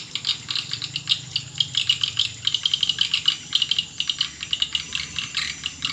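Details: Swiftlet call used as a lure: a steady stream of short, dry, clicking chirps that run like a rattle, with brief buzzy stretches.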